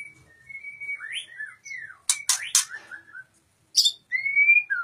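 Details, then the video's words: Song of a white-rumped shama: long sweet whistled notes sliding up and down, interrupted by three sharp snapping clicks, then a final clear rising whistle. "murai batu matep tenen"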